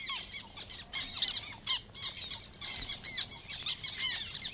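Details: Black Terns in the Matsalu reed beds, a 1979 field recording: harsh, squawky short calls overlap in a busy chorus, several birds calling at once with brief pauses and no other clear sounds.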